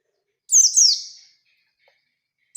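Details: Oriental white-eye, a bird in full wild-style song used to trigger a rival's reply: a single short phrase of high, slurred, downward-sweeping twittering notes, fading out, followed by silence.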